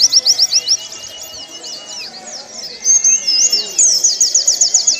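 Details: Warbling white-eye song for training caged birds: high, jumbled warbling and quick slurred notes, a softer twittering middle, then an even run of rapid thin whistles.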